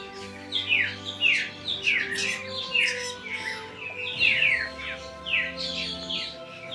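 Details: Spangled drongo (Dicrurus bracteatus), an excellent mimic, in Darwin, Australia, sings a busy run of harsh, metallic twangs and squeaky chattering notes in repeated bursts about every second, over a faint steady hum.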